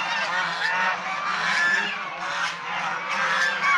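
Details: Continuous harsh honking from a flock of domestic swan geese, calls blending into a loud, rasping wall of sound with a few clearer whistled notes.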